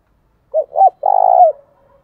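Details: Spotted dove used as a decoy to draw and challenge wild doves, giving a single coo phrase: two brief hooting notes, then a drawn-out vibrating croo that drops at the end, in quiet surroundings.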